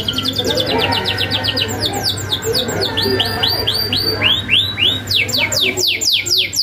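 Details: Singing canary on a tutor recording full of sharp rolls for untrained birds to answer: fast runs of high, clear descending sweeps, about four per second, shifting pitch from phrase to phrase, with a constant low electrical hum beneath.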